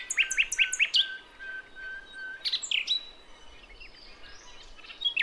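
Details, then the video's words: Wild female nightingale in Javan forest calling a male, a lure for young birds: a fast series of four sharp chirps, then scattered high squeaky notes fading into softer twitters. "Nightingale Bird Singing - Suara Kicau Burung Sikatan Londo Kipas Rimba Emas"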